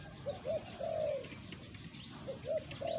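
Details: Spotted dove, heard in Thailand during a decoy bird's encounter with a wild territorial resident; softer, more distant cooing, two phrases of short hollow notes ending in a longer level coo, with background hiss.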